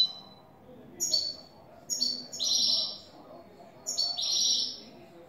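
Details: Goldfinch song in the clean "el tres vueltas" style from a new bird: quick high chips leading into buzzy, liquid twittering phrases that rise and fall, repeated about every second and a half.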